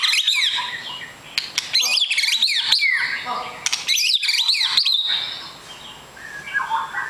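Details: Long-tailed white-rumped shama, said to be a super fighter, pours out fast, high, complex song. Rapid looping whistles and chattering notes come in dense bursts with short pauses, ending in a softer lower warble.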